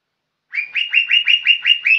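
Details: A young lesser green leafbird delivers lively, hard-driven song. After a pause come eight rhythmic whistled upslurs, each rising and evenly spaced at about a fifth of a second. No background noise.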